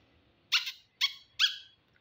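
A rose-ringed parakeet gives three harsh, rasping screeches in quick succession, each high-pitched and dropping slightly at the end, in an otherwise quiet room.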